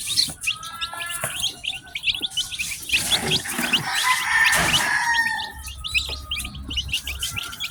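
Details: Newly hatched domestic chicks from a batch of ten, peeping together in a dense chorus of short, high, rapid chirps that overlap constantly, with a louder, rougher burst of sound partway through.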